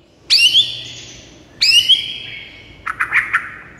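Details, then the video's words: White-rumped shama song meant to stir a silent bird into singing: two loud ringing whistles, each falling slightly and fading, then a short burst of harsh chattering notes. "JADIKAN MURAI BATU BISU LANGSUNG NGAMUK DAN GACOR MENDENGARNYA"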